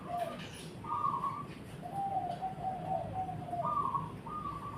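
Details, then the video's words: Zebra dove song: soft, even coos that open with a short low note, then flat upper notes and a long drawn run of lower rolling notes, against a steady low hum. "Burung Perkutut"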